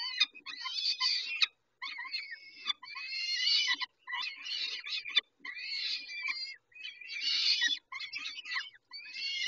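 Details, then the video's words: Feeding time for peregrine falcons at Dobra, 19 May 2021, 11:48: repeated rasping, squealing screams in clusters about a second long, separated by brief gaps, harsh and urgent. "Sokoły - Dobra karmienie"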